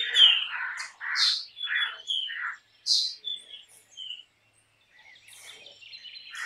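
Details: Black drongo, an all-black forked-tailed bird of open farmland, singing a varied phrase of harsh buzzy notes, clear whistles near four kilohertz and downslurred chips, then a quieter stretch with faint distant twittering.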